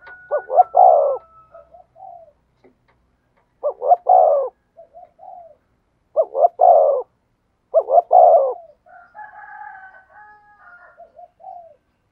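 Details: Spotted dove cooing 'thúc gù' in the 'thổ sấm' thunder voice. Four phrases of hoarse, deep coos, short notes running into a long rolling one, are separated by soft trailing murmurs, with a faint higher whine late on.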